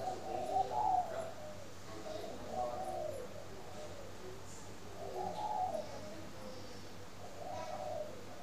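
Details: Spotted dove from a dove-keeping garden in Ba Vì, Hanoi, Vietnam, cooing in the morning: several low, muffled coo phrases spaced a couple of seconds apart, with light background noise and faint clicks.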